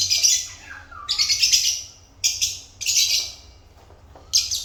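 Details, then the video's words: African lovebirds chirping: shrill, harsh high-pitched bursts in four separated groups, each about half a second to a second long, with a faint lower whistled note between them and a low background hum. "African Love Birds Satisfying Sound Effect"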